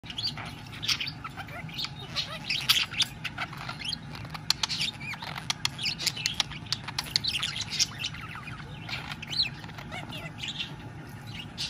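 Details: Male budgerigar warbling to his female partner while courting her after feeding her, a newly paired caged couple with eggs in the nest; soft chattering chirps and clicks, high and scratchy, with fluttering and a steady low hum beneath.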